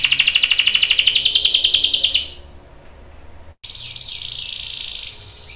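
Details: Canary long roll used as a lure for other canaries: a dense buzzy trill that stops after two seconds, then a quieter, steady trill after a brief pause.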